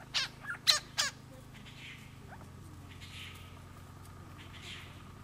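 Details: Grey-crowned babbler calling at Coolmunda Dam near Inglewood, Queensland, Australia, captured on a Canon Powershot S5 IS: three loud, harsh, ringing notes in the first second, followed by softer scattered calls against a low background hum.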